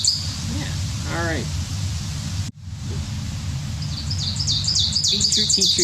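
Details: Ovenbird song: a quick run of high, ringing two-note phrases, 'teacher teacher', growing louder over a few seconds after a man speaks briefly.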